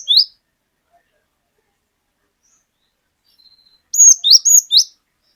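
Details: Cinereous tit, a lively untrained bird singing openly, used to set off other birds, its 'wucit wucit' song long. After silence, a sudden loud group of four sharp high whistled notes.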